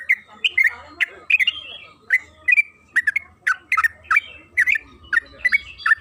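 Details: Lure recording of trucukan kebo, the yellow-vented bulbul, played to provoke long rapid singing: rolling, gurgling phrases of short warbled notes in clusters, with a faint low rumble beneath.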